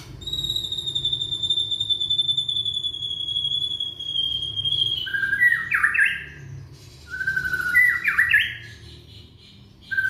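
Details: Young white-rumped shama from Indonesia, sung as a lure to start non-singing shamas: a long, pure, slightly falling whistle of about five seconds, followed by two phrases of low whistles breaking into jerky, stepped note clusters.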